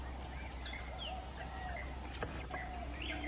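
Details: Yellow-footed green pigeon at Mezhathoor, Palakkad, Kerala, giving soft, fluty whistles that swoop up and down, several overlapping in quick succession, over a steady low hum of background noise.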